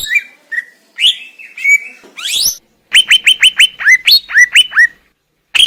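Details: Greater green leafbird recorded in the wild in Indonesia, singing varied whistled notes, then a rapid series of about ten sharp down-slurred whistles with overtones, delivered roughly two per second, ending on a loud rising note.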